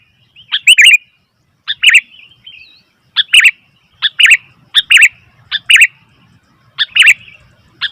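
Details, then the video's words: Noisy sooty-headed bulbul giving short, bright chirped calls in clusters of two or three notes, bursts spaced irregularly about a second apart, with quiet pauses between them. "Suara Burung Kutilang ribut"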